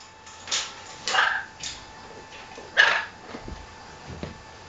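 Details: Captive macaw squabbling with its owner: several harsh, raspy bursts at irregular intervals, two much louder than the rest, amid quieter indoor background sounds.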